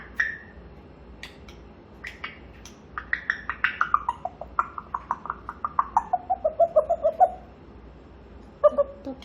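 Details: Grey parrot during its morning chatter session, a pet kept indoors that talks for about two hours each morning; a run of short rhythmic vocal syllables sliding gradually downward in pitch, ending with a brief pause and a final pair of notes.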